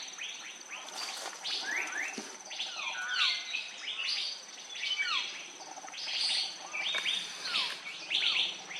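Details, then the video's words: Andaman bulbul (Pycnonotus fuscoflavescens) filmed close up on Andaman Island, India, in March 2020: bright, quick chirps with sharp rising and falling slurs, repeated in loose bursts, over a steady high insect hiss. "Lovely Close-up of Andaman Bulbul"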